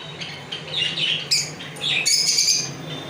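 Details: Lovebird giving a few thin, high squeaks followed by a sudden sharp, shrill screech, then a harsh buzzy call near the end.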